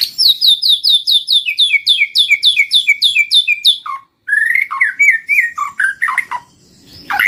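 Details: White-rumped shama lure song: a long train of fast, clear two-part whistles, about three or four each second, then a varied run of slurred, falling and rising notes.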